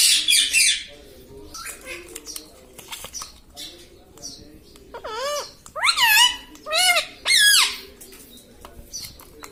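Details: Pet talking parrot, said to utter "mitthu mitthu" and "mummy": a harsh opening burst, soft scratchy noises, then four loud word-like calls that dip and rise in pitch, spaced about a second apart.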